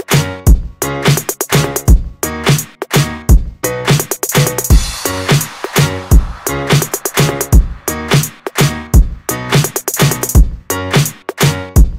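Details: Funky electronic music with punchy drum-machine beats and bass, no animal voice heard.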